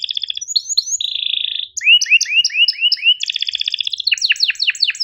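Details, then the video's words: Canary master song for teaching young canaries and birds slow to sing, featuring sharp chirps and rolls: rapid pulsed trills, a steady buzzy tone, then five rising swooping whistles, a fast trill and repeated descending sweeps. "MASTERAN KENARI GACOR PANJANG EPS24 Cuit NgeroL TAJAM, Untuk Kenari SUSAH BUNYI & Paud belajar bunyi"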